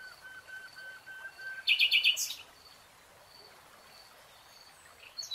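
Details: Nightingale in a lush green forest: soft repeated lower whistles, then a brief burst of sharp, quickly repeated high notes, followed by quiet with faint distant whistling.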